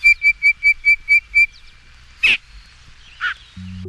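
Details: Yellow-breasted Chat song played from the Cornell Lab's record A Field Guide to Bird Songs: seven clear, evenly spaced whistled notes in a quick run, then a harsh rasping note and a lower burry note, ending in a low hum.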